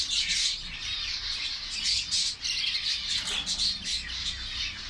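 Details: Zebra finch (Taeniopygia guttata) colony in Saudi Arabia, given egg food: many birds calling over one another in a dense, unbroken chatter of short, nasal, trumpet-like beeps.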